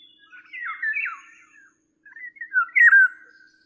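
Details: Eurasian golden oriole (Oriolus oriolus) giving two harsh, squawking calls with falling, grating slurs, separated by a brief pause; no other sounds intrude.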